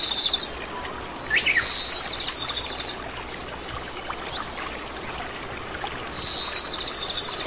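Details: Oriental greenfinch, a common resident bird in Korea, giving bright, high, buzzy trilled notes in three short bursts, over a steady hiss like running water.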